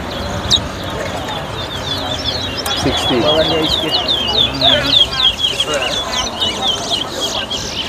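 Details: Caged towa towa birds whistling in a 2022 competition at a bird club in Better Hope, Guyana: rapid high twittering and slurred whistles over steady crowd chatter.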